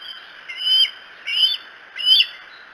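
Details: Bald eagle calling at the Decorah eagles nest cam, recorded 07-02-2018: three high, thin chirped calls with a rising-then-falling squeal, about 0.7 seconds apart, over a steady hiss of background noise.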